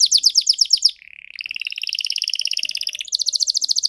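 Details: Canary song: a fast rattling trill of repeated high notes, then a lower buzzy rolling trill that steps up into a bright, rapid high trill near the end.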